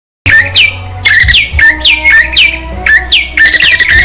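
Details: Prinia song: loud, repeated high notes that sweep sharply downward, each followed by a short lower chirp, given in bursts about every half second over a steady low hum.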